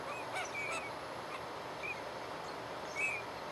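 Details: Courtship display of teal: three brief, bright whistled notes spaced over a few seconds, each slightly bent in pitch, with soft clicks and a constant hiss of outdoor background noise.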